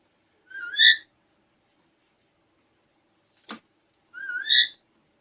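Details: A pet Alexandrine parakeet talking in front of a mirror gives two short, bright, wavering phrases, each rising then falling, about three and a half seconds apart, with a single sharp click between them.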